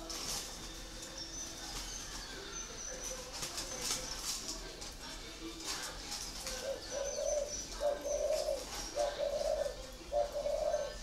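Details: A captive 'thổ áo đỏ' type spotted dove with long feathers, at a bird garden in Ba Vì, Hanoi, gives soft, low, throaty coos in short phrases, roughly one a second in the second half, with high chirps from other birds.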